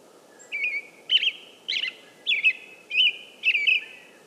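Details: An American robin sings in short, clear, warbled phrases, each rising and falling, delivered about twice a second over a low, steady background hiss.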